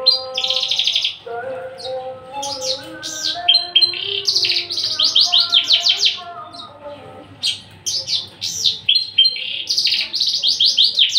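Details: Tame, unringed male Javan bush lark, described as ready to become a breeding male, sings a fast, varied stream of bright chirps, sweeping whistles and trills over lower steady whistled tones.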